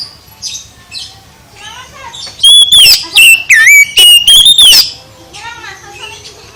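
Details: Soft background chirps give way to a loud run of whistled oriental magpie-robin phrases, with swooping slurs in several quick bursts, before the song fades to quieter sounds.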